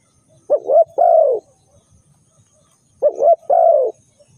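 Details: Bird-trapping lure call of a spotted dove: twice, a double coo rises into a long, slurred, falling croo, with about two seconds of near silence between the phrases.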